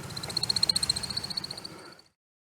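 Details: Male American Woodcock in twilight courtship sky dance, spiralling up: fast, even, high twittering made by air through his wing feathers, about two seconds of rapid thin chips swelling then fading, no other sounds.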